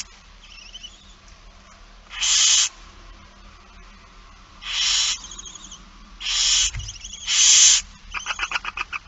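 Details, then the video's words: Barn owl young at a feeding in It Fryske Gea, 8 September 2019, afternoon: loud broadband hissing screeches about half a second long, four in nine seconds, with softer chittering and a rapid ticking series at the end. "Kerkuil It Fryske Gea 2019 09 08 16 02 voedering"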